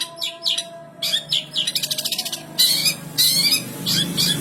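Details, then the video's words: Long-tailed shrike (cendet) singing with mimicked house-sparrow notes: a lively run of sparrow-like chirps, a rapid buzzy rattle and harsh scratchy bursts, fast and irregular. "cendet gacor isian burung gereja"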